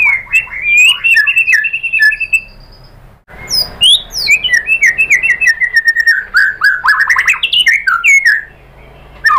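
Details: White-rumped shama lure song for stirring rivals into showing their 'tembakan' shots: loud, varied whistled phrases with quick slurred and rising notes, a brief pause, then a long tumbling run of mixed chirps and whistles.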